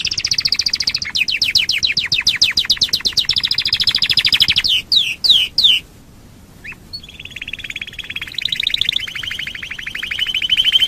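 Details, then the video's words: Canary song meant to coax other canaries into singing: long fast rolling trills, a burst of separate downslurred notes, a brief pause, then a lower steady buzzy trill that carries on to the end. "Pancingan burung kenari super ampuh"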